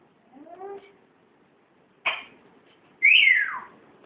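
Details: Pet grey parrot out of its cage for the first time: a faint wavering whine, a sharp short burst, then a loud, harsh squawk sliding downward.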